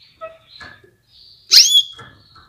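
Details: Female Atlantic canary calling to spur males to sing; a single loud, high chirp with a falling tail, framed by soft ticks and faint thin notes.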